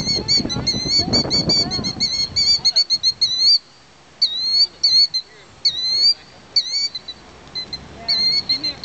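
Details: A mother bird nesting in a workplace parking lot scolds an approaching person to draw them away from her eggs: sharp, high chirps in quick bursts with a clipped, ringing quality, after opening seconds of human speech.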